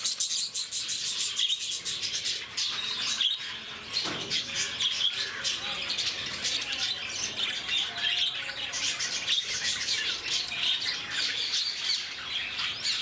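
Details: Active, noisy lovebirds at Bannerghatta Zoo near Bangalore keep up a steady, piercing chatter, with rapid shrill chirps and squawky notes from many birds layered over each other throughout, a few louder squeaks standing out.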